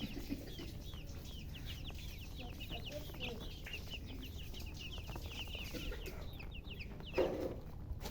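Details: Colored chickens chirping in a dense chorus of thin, high downslurred peeps, continuous for several seconds, with faint low murmurs, a louder thump near the end and steady low background rumble.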